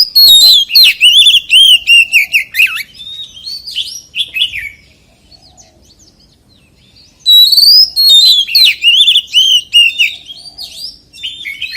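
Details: Wild-voice song of a white-rumped shama: two long, fast outbursts of bright whistles, trills and looping slurred notes that step down in pitch, separated by a quiet gap of several seconds.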